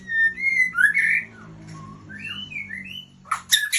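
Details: Female White-rumped shama, Aceh type, Ujong Pancu, Aceh, sings loud, clear whistled phrases with rising and falling slurs and fast warbled notes, pausing briefly before a harsh, scratchy burst near the end.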